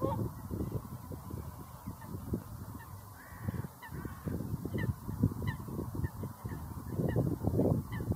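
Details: A flock of whooper swans producing a continuous chorus of hoarse, trumpet-like honks with bright overtones, irregularly spaced and overlapping, over a heavy low-pitched rumble.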